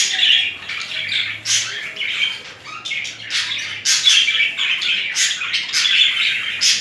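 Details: Mating budgerigar pair in romantic interaction, giving rapid chirps and scratchy warbled bursts in irregular clusters, with short sharp squawks between quieter gaps, indoors.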